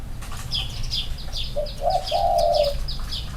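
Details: Spotted dove, one of two males set side by side for comparison, giving short low cooing notes that lengthen into a steady drawn-out coo, with faint high chirps and rustling in the background.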